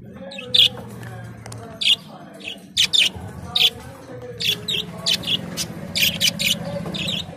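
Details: Budgerigars, colourful Australian parrots, keep up a lively series of sharp high chirps, often in quick pairs, roughly every half second, over a low hum and soft chatter.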